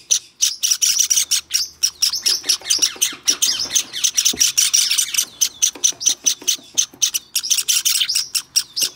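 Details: Rapid, scratchy high chirping from a white Java sparrow chick that is tame enough to be handled, recorded on 23 May 2021, delivered in a steady, busy series.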